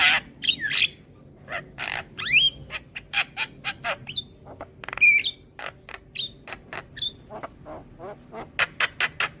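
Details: Young Javan myna song for tutoring young birds: a rapid run of clicks, harsh chattering bursts and occasional bright whistled slides, delivered in quick irregular succession.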